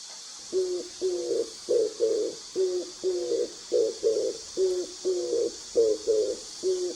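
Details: Oriental turtle dove, a wild dove heard in the mountains, quieter than park pigeons: low, soft cooing in short paired and tripled hoots, about two phrases a second, over a faint background hiss.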